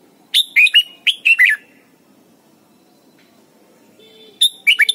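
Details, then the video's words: Red-whiskered bulbul from Thailand, a recording used to teach young birds to sing: a quick phrase of six bright, slurred whistled notes, a three-second pause over faint low hum, then the phrase begins again. "นกปรอดหัวจุก Thailand Bird: เสียงดีมาก (สอนลูกไก่) เต็ม - ฝึกร้องเพลงร้องเพลงยอดหรือเสียงบิด"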